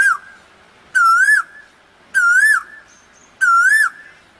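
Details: Asian koel calling in spring in Dhaka, Bangladesh: loud, pure whistled notes with a wavering, rising shape, three full calls repeated about every 1.2 seconds against a quiet background.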